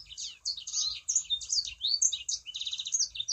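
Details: Sangihe shrike-thrush singing as a lure for other sanger birds: an unbroken rush of high chirps, sweeping whistles and a rapid trilled run near the end.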